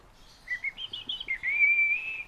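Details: Pet fieldfare giving a series of short whistled notes that step upward, then a long, steady, clear whistle held for almost a second, with a quiet background.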